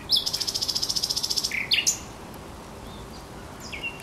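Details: Thrush nightingale song by the Żerań Canal, 24 April 2022: a loud, fast, even rattle of about eighteen clicking pulses in just over a second, followed by short sharp chipping notes and a faint whistle, with a low steady hum.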